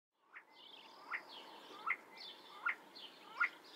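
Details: See-see partridge (Ammoperdix griseogularis) calling: five short, sharp whistled notes, each with a quick rising double inflection, repeated about every three-quarters of a second over a soft, steady outdoor background hiss.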